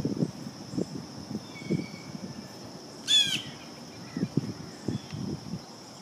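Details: Blue jay at peanut suet giving a single loud, harsh call, rasping and slightly descending. A steady high whine and low bumping, rustling sounds fill the background.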